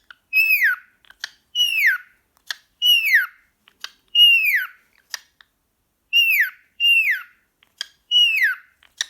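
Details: Pet cockatiel, a male, hyperactive and calling at a sock indoors: loud whistled calls that slide downward, given roughly every second in a steady series, with soft clicks between them.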